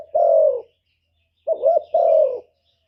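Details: Spotted dove cooing as a lure for wild birds: one long smooth low coo, a pause, then a short bubbling note followed by another sustained, slightly falling coo.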